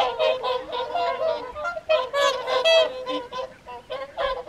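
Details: A whooper swan flock at the evening feed on the Folly Pond, WWT Caerlaverock, January 2023: rapid, overlapping honks in quick succession, loud brassy calls standing out around the middle of the clip.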